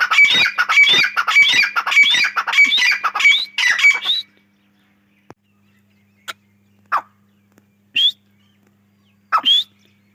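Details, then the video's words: Grey francolin: four seconds of loud, rapidly repeated harsh call phrases, then near silence broken by a few brief, clipped notes. "Gray Dahkni teetar sounds | gray teetar ki awaz"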